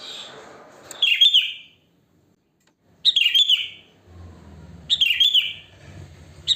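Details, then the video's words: Natural wild sooty-headed bulbul song used to attract other bulbuls: liquid chirpy phrases falling in pitch, repeated roughly every two seconds, with faint low rumbling background noise. "Suara Kutilang Asli Alam Tanpa Isian Gacor, Ampuh untuk Pancingan, Bikin Kutilang Ribut Gacor"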